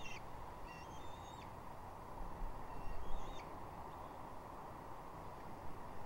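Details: Bald eagle chick calling and a parent answering at Two Harbors, 27 June 2021: thin, high, squealing whistled notes in two short groups, faint against a steady rushing background noise.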